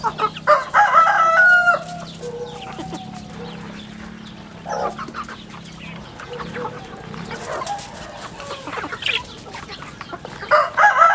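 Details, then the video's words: Farm chicks calling: bursts of high, falling peeps at the beginning and end, with sparser scattered cheeps and a low hum in between. "Good chicks sounds in the farm"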